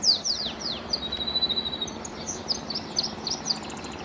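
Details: Canary singing vigorously in the wild, a songbird known for its 'tembakan' (shooting) style: a run of quick, high, down-slurred chirps and short notes against a steady hiss of outdoor background noise.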